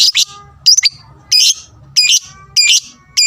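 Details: A lovebird's fighter sound, said to make opponents agitated: rasping, high chirps, including a quick stuttered triple, then evenly spaced bursts about every 0.6 seconds, over a faint low hum.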